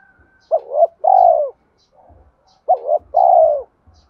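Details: Lure cooing of a spotted dove for training decoy birds: two phrases, each a brisk double hoot that rises, then a sustained downward-sliding coo. A soft low murmur and faint low thumps sit in the background.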